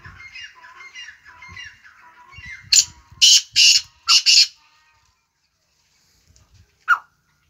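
A black francolin gives four loud, harsh, grating notes in quick succession, then one more after a pause. Fainter twittering chatter comes first.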